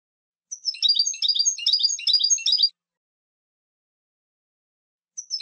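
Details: Goldfinch singing a fast, continuous, jangling twitter of high, tinkling notes for about two seconds. After a long silence, the start of another phrase. No background noise.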